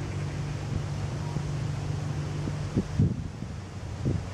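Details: Steady wind rumble fills the recording, broken by a few low thumps and knocks near the end, with no animal voice heard.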